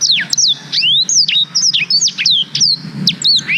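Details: Black-throated canary in full song, a recording meant for training canaries, made with a GoPro Hero 5: rapid, high-pitched twittering of descending and upsweeping whistles, phrases tumbling one into the next without pause.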